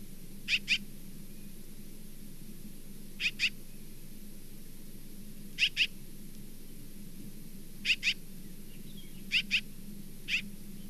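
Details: Osprey calling from the Charlo nest, 27 September 2023: clear high whistled chirps mostly given in quick pairs, each pair roughly two seconds apart, six groups in all, over a low constant hum.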